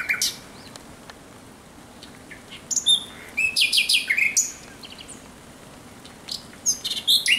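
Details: Nocturnal thrush nightingale song from 17 May 2023, with scattered high whistles and clicks building into loud harsh chattering phrases, then quieter gaps and more sharp notes.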